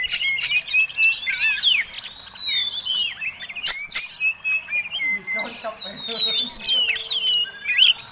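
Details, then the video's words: Contest-type Oriental magpie-robin in fighting mode, performing tail-flaring display song meant to provoke other birds; rapid sequence of sharp whistles, upslurred and downslurred notes and buzzy chatter, briefly masked by a broad rushing noise around five seconds. "Kacer Tarung Ngobra Ngotot Gayanya Eksotik Bikin Ngiler || Pancingan Mewah!!!"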